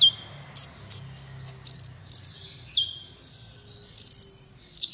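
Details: Kolibri wulung sunbird singing steadily, recorded as tutoring material for competition birds: high, thin chirps and short sharp notes, some sweeping down, others in quick stuttering bursts, spaced irregularly about every half second over a faint low hum.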